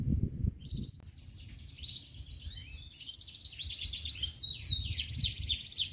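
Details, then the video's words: Local canary song: a dense run of varied chirps and buzzy trills building over the clip, notes repeated several times a second, with low rumbling background noise. "KENARI LOKAL | KICAUAN KENARI"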